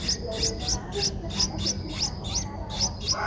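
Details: Eleven-day-old Streak-eared Bulbul chick, Ubon Ratchathani, Thailand, 13 April 2023: evenly spaced piercing high chirps, about three each second, with a low steady rumble beneath.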